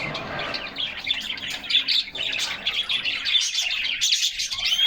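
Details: Several caged canaries singing together on a summer day, recorded by a fixed camera inside their cage: a dense, continuous stream of high twittering trills and chirps with bright whistled notes, scarcely pausing across the whole stretch.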